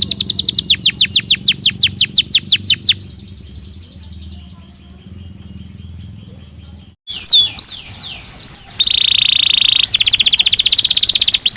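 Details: Belgian canary singing naturally: a fast series of sharp, high descending notes, then a quiet pause, then the song resumes with whistled upslurs and a dense buzzy roll.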